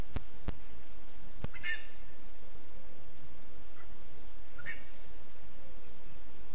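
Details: ['Lesser spotted eagle nestling in a spruce, Zemgale, Latvia, 15 August 2024, calling with a couple of short, thin, high notes separated by a few seconds. Several sharp knocks come early, over constant hiss.']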